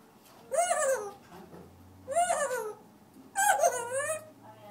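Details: African grey parrot sings in a room, repeating three long, wavering, whine-like harmonic notes, each about a second, spaced roughly every one and a half seconds, with a faint low hum between.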